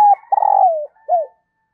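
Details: Female dove call used to excite males; a steady coo runs into a long, vibrating, downward-sliding coo, then one short curved note rises and falls. No other sounds.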